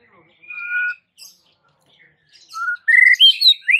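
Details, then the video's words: White-rumped shama singing: a sustained clear whistle paired with a lower whistle, a pause, then a rapid run of rising and falling whistled notes climbing in pitch, sung to make other shamas answer. "Suara uniknya jadikan MURAI BATU sekampung NYAUT GACOR dak MAU DIEM"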